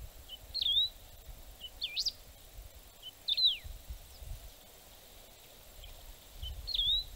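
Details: Canário-do-campo song for birding playback: short high twisting whistled phrases, one soft introductory note before several, delivered at irregular intervals of one to three seconds amid quiet natural background noise.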